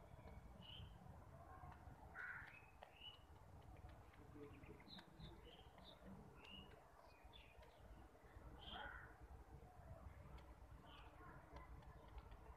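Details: A common myna gives scattered short whistles and chirps while eating, with two harsher, raspy notes, over a steady low rumble of background noise.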